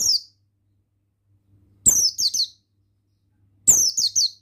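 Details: A male Oriental white-eye of the buxtoni form repeats phrases of three or four sharp, high notes that slur downward, about two seconds apart, in a quiet setting.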